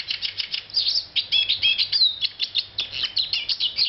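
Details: Rapid, high-pitched twittering from a Eurasian siskin, with pulsed chirps in quick succession and a few longer nasal notes that slide downward, delivered almost without a break.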